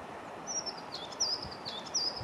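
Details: A crested tit at Värsnäs, Kalmar, Sweden, on 26 February 2021 gives thin, very high, slightly descending notes about every three-quarters of a second, over a faint outdoor hiss.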